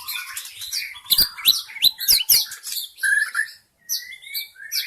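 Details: Forest white-rumped shama singing for luring: a fast, loud jumble of chirps, trills and sharp clicks, then a pause and a clear whistled phrase followed by a high buzzy trill.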